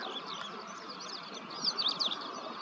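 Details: Feeding ashy-crowned sparrow-lark, with a few sharp, bright chirps clustered near the end after softer twittering, set against constant low outdoor noise.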